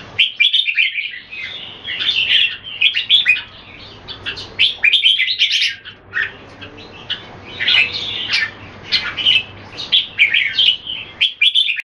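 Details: Caged red-whiskered bulbuls kept Singapore style, two birds matched in a display contest with keke calls: bright, chirpy whistled phrases in quick bursts every second or two, separated by short pauses, over a faint steady low hum.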